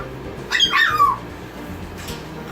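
A cockatoo gives one harsh, wavering squawk lasting about half a second, followed by a fainter second call and quiet indoor room noise.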